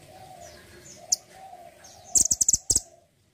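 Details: Mantenan gunung, used as a master bird for songbird training, utters one sharp chip and then a quick series of shrill high chattering notes over a steady low hum.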